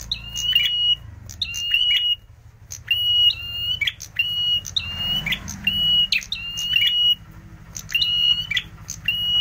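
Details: Lure recording of red prinia (prenjak merah) song for bird trapping: a long series of clicks, each followed by a steady high whistle, repeated roughly once a second with brief gaps and a soft rustle midway.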